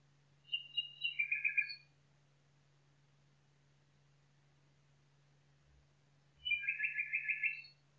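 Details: Forest nightingale giving two separate phrases several seconds apart, each a quick stutter of bright, rapidly repeated notes stacked at different pitches, ending on a thin high note, with a low steady hum and a couple of soft thumps.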